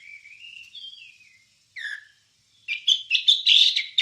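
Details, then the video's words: Wambie singing on a recording meant for training songbirds. A soft, thin, wavering whistle and one sharp down-slurred note are followed by a loud burst of fast, buzzy chattering. "Ocehan Suara Burung Wambie"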